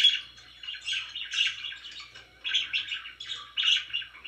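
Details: Chirping from pet budgerigars indoors, bouncy warbling phrases in short bursts separated by brief lulls, roughly one burst per second, over a faint electrical hum.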